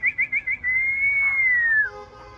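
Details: Laughingthrush, called khướu bổi, sings four quick whistled chirps, then one long, pure whistle. It holds steady and drifts gently downward before ending.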